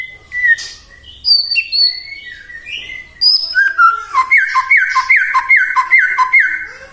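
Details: A white-rumped shama sings as a lure to make other shamas sing. Varied high whistles open the song, then a fast series of loud, repeated downslurred notes follows.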